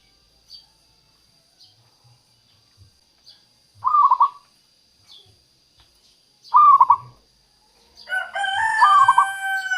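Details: Local zebra dove song used as a lure for wild doves: soft clicks, then two short throaty trilled coos at about four and six and a half seconds, ending with a coo overlapped by higher bird chatter.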